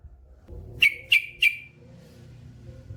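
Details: Yellow-vented bulbul, called trucukan, male: three short, sharp high whistled notes, evenly spaced about a third of a second apart, over faint low background noise.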